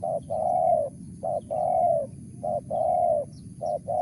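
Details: Spotted dove calling mersik-style, a steady rhythm of short low notes each followed by a long level coo, repeated about once per second.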